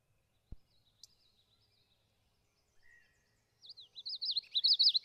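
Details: Common yellowthroat warbler in Maine: after a mostly quiet stretch with a faint click and a brief lower note, a loud series of high, rapidly warbling rolling phrases repeats in quick succession to the end.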